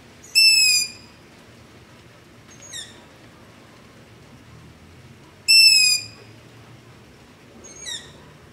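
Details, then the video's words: Nocturnal begging calls of long-eared owls near a house, captured on a ZOOM H5 with LOM Usi Pro microphones: two strong, high, grating squeals about five seconds apart, each followed by a softer, more distant reply. "Long-Eared Owl - Begging Call"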